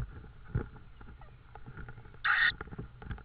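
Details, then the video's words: Estonian tawny owl at its nest with prey on the evening of 6 May 2013. A single brief, harsh rasping burst is heard among soft scratching and knocking noises. "Estonian TawnyOwl 2013-05-06-21h04m - Prey 22.04"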